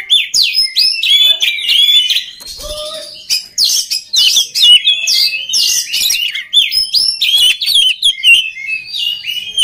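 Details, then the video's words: Long, energetic song from an oriental magpie-robin, offered as training sound for other magpie-robins. Continuous tumbling whistles, sweeps and harsh chattering notes pour out with barely a gap. "SUARA KACER PALING DI CARI UNTUK MELATIH MENTAL KACER LAIN AGAR CEPAT GACOR"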